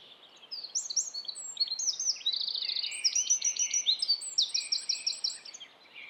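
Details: In Estonia, a Eurasian wren delivers a long, energetic song of shrill, rapid trills and rattled note bursts, strung together for about five seconds before fading.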